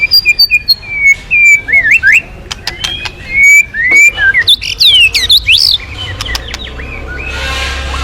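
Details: White-rumped shama song offered as a lure to set off other birds: quick chips and varied slurred whistles, some rising sharply, fading near the end into a hiss of noise.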